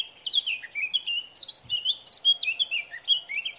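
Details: Male Eurasian blackcap (Sylvia atricapilla) singing in Bavaria, Germany, in June or May: a rich, fast warble of varied whistled and fluty notes, high-pitched and continuous throughout, with faint background noise.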